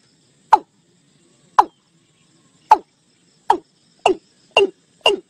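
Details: Watercock flock call used to draw birds into a net: seven abrupt clucking notes that slide downward, the gaps shrinking from about a second to half a second, the later notes brighter and sharper.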